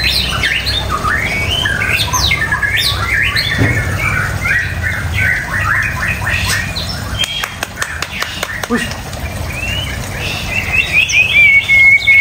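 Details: White-rumped shama singing fast chattering and whistled phrases, then a burst of sharp clicks, ending with a long thin high whistle; low hum throughout.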